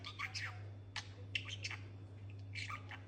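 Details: Pet talking budgerigar, one of two kept birds learning new words: scratchy, squawky chattered syllables in short bursts, with a steady low electrical hum underneath.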